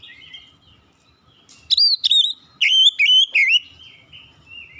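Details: Oriental magpie-robin giving a soft lead-in, then five loud, clear whistled notes with sharp upward flicks and sliding tails, fading into a quieter trailing whistle.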